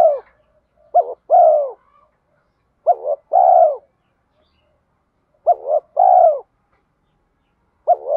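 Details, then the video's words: Cooing spotted dove in thổ-thúc style, played to train decoy and newly caught birds. A quick double note leads into a long, full, descending coo. Three phrases come with long quiet gaps. "Tiếng chim cu gáy giọng thổ pha thúc đấu vấy bổi, dùng tập bổi và tập mồi gáy theo cả ngày"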